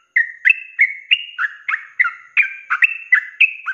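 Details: Sooty-headed bulbul (trucuk) in an active 'ropelan' song, a rapid, continuous style used as a training recording for cage birds: short liquid whistled notes, steady or dipping, delivered about three per second with no pauses and no other sounds.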